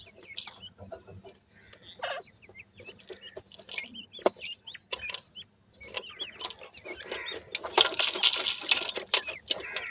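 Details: Captive teetar (francolin) chicks at feeding time. Many high, downslurred peeping chirps overlap in a busy, irregular chorus. A burst of loud scratching or rustling noise comes near the end.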